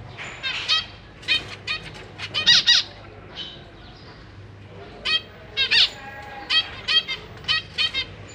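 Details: Zebra finch family in a cage, parents busy feeding three juveniles and three new fledglings, 4 May 2023; bursts of quick, nasal, stacked chirps, several overlapping near the middle, separated by short quiet gaps.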